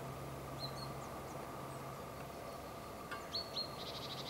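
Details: Eurasian blue tit recorded with a Sony HDR-PJ10E camera: a few thin high paired notes early, then after a sharp click a quick run of high, slightly buzzy repeated notes near the end, over a steady low hum.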